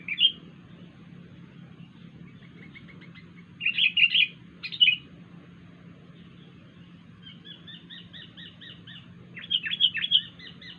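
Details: Wild sooty-headed bulbul with an odd call: scattered sharp chirp bursts, a soft run of quick repeated twittering notes, then a louder closing burst, all over a steady low hum.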